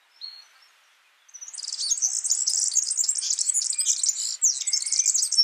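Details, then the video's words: Yellow-fronted canary singing in the wild: a lone short high note, a second's pause, then a fast, continuous, high-pitched twittering warble that closes on a slightly lower drawn-out note. "Suara burung Mozambik gacor di alam"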